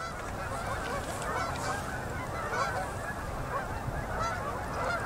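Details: Migrating Canada geese in endless flocks settle onto a river in Manitoba at sunset, fall 2018. Overlapping honking rises and falls slightly in a continuous, crowded chorus.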